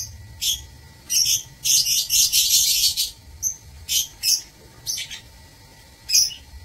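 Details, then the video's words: Lovebirds in an aviary cage, recorded 16 March 2024: bursts of shrill, high chattering and short sharp chirps, some dense buzzy runs lasting about a second, with quiet gaps between. "Aviary Lovebirds [16 Maret 2024]"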